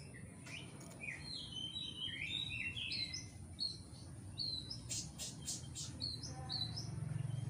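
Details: Oriental magpie-robin singing in Indonesia, a recording meant to train kept songbirds: a quick run of short high whistled notes, many rising or falling, with scattered sharp chips and a low steady hum behind.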